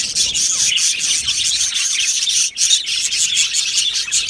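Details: Aviary flock of budgerigars singing and chirping together: busy, high twittering warble layered from many birds, steady throughout with one brief dip near the middle.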